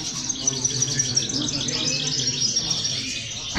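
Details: Female goldfinches in group song, played to spur goldfinches on: a short burst of dense, tinkling twitter with crisp chirps, ending in a brief knock.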